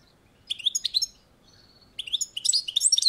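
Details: European goldfinch singing on a balcony: two bursts of bright, high, tinkling twitters separated by a short pause with a faint thin whistle.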